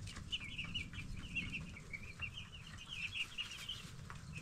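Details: Ten-day-old baby broiler chickens in a group, giving dense runs of quick, high peeping chirps that rise and fall slightly, nearly continuous for about four seconds over a low hum.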